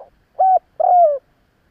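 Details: Mellow spotted dove call for rousing wild doves: a short level coo, a brief gap, then a longer coo easing downward at the end, in clean quiet surroundings.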